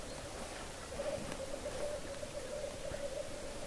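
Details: Black grouse males at a pre-dawn lek, 3:30 am, in Hedmark, Norway: continuous low, dove-like bubbling cooing, swelling slightly in the middle, over a soft background hiss.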